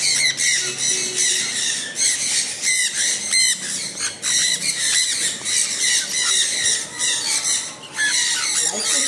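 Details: Several sun conures calling while rain falls, loud strident shrieks in fast, near-continuous bursts that crowd the whole stretch.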